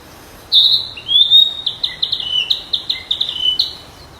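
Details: A wild flycatcher sings a high whistled opening, then a quick string of about ten short, even, chipping notes with a few lower notes slipped in, ending on a bright whistle.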